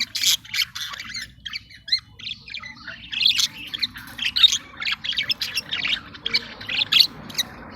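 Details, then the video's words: Caged budgerigars during mating and food regurgitation, giving a dense run of sharp chirps and scratchy squawks, bursts coming irregularly several times a second with short warbled phrases between. "KIZIŞAN MUHABBET KUŞU ÇİFTLEŞMESİ VE YEM KUSMASI./ BUDGİE MATİNG"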